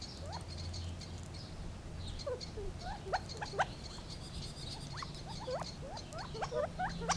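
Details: Gambel's quail calling with a quickening run of short upward-swept chips, sparse at first, then clustered in the second half, against a quiet low rumble.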